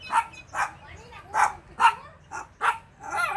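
A guineafowl gives harsh, grating calls in a rapid, uneven series of bursts.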